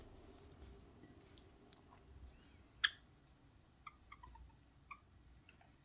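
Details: A pet white Java sparrow gives one sharp, bright chip, then a few soft, high chip notes about a second apart, over quiet room hiss indoors, on 7 March 2022.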